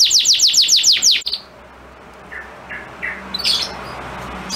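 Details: Male canary singing to stimulate a female ready to mate; a quick burst of six descending high sweeps, then near silence broken by a few soft, faint chirps.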